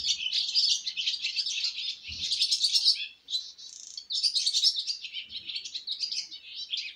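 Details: Baby swallows leaving the nest for the first time pour out busy high chirping, continuous overlapping twitters that pause briefly near the middle, with a couple of dull low knocks.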